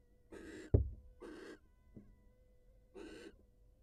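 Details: Wild barn owl at its nest as the female leaves to greet her mate: three short, harsh, hissing bursts about a second apart, with one sharp knock or thump between the first two.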